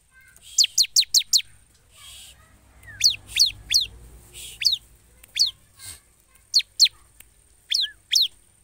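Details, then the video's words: Bar-winged prinia chirping in scattered groups of sharp, high falling notes, four in a quick opening run then single and paired notes, with low background rumble and occasional hissy noise. "Suara Ciblek gacor"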